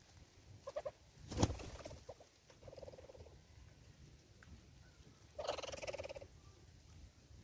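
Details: Southern red-billed hornbill calling at a bird feeder in South Africa: scattered mid-pitched clucks, then a rapid stuttering run of clucks, and later a louder burst of quick clucking mixed with a broad rustling noise.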